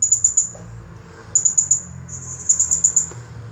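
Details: Rapid, very high, thin chirps of a champion blue-crowned hanging parrot in the 'nagih hutang' song style, delivered in bursts of four to six evenly spaced notes with short gaps.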